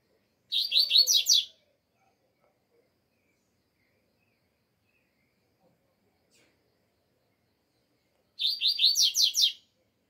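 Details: Double-collared seedeater in Brazil, still cold weather, giving two bright, rapid bursts of high, buzzy chirped notes, each about a second long and roughly seven seconds apart, with silence between.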